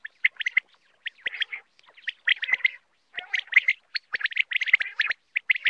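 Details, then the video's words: Common quail giving quick bursts of sharp, liquid chirps in clustered groups, with a few low gargling notes between; a quail sound used for hunting and netting. "Common quail mp3 sound ll common quail hunting ll quail sound ll Batair mp3"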